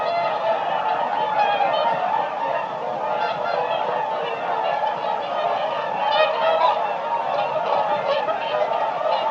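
A flock of whooper swans gives a dense, overlapping chorus of loud, bugling honks, many birds calling at once without pause.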